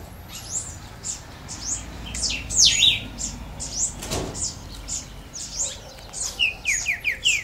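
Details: Green-winged saltator that started singing today, delivering a run of short, bright, sweeping notes, some falling and buzzy, in quick loose phrases with a steady hiss behind.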